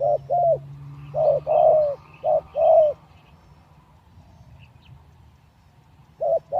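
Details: Caged decoy spotted dove three days out of the breeding cage calls low hollow coos in pairs, short then drawn-out and falling, a long quiet gap, then a new pair starting at the end.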